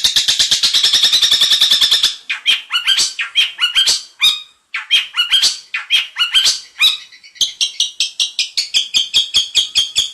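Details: Long-tailed shrike (cendet) singing in the 'isian mantan' style: a fast rattling run of harsh notes gives way to spaced, squeaky, chattering phrases and higher, thinner repeated notes.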